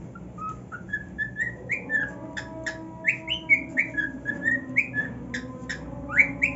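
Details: Male pet cockatiel singing happily on his new nest: a run of short whistled notes, many sliding upward, given about twice a second, with sharp clicks between them and a low steady hum behind.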